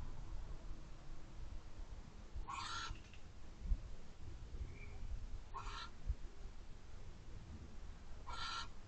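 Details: At an owl box at 12:11 am on 1/4/24, a male Barn Owl shoos another owl off the perch. He gives three harsh, hissing screeches about three seconds apart, each half a second long, over a steady low rumble.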